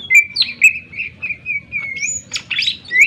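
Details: Greater green leafbird in full sharp song, offered to rouse other birds to sing: sustained whistled notes linked by rising sweeps and chirps, with a scratchy flurry near the end.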